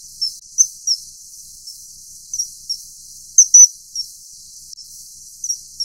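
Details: Common kingfisher during mating gives thin, shrill whistles at uneven intervals, some paired, with one loud strident double whistle in the middle, all over constant soft hiss.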